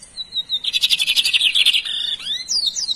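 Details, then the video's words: Lined Seedeater singing: a thin high whistle, then a fast buzzy trill of rapid repeated notes lasting about a second, ending in short slurred rising and falling whistles. "Bigodinho top cantando!"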